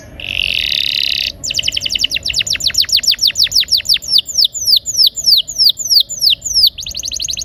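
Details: Rolling 'gacor' canary song meant to prompt silent canaries to sing: a harsh buzzy burst opens, then a fast run of high descending whistled notes, about three per second, that slow and loosen toward the end.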